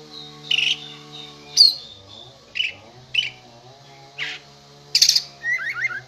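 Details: Kacer, an oriental magpie-robin prepared for contests and trained on master songs, giving scattered short whistled and buzzy notes between pauses, with a steady low electrical hum underneath.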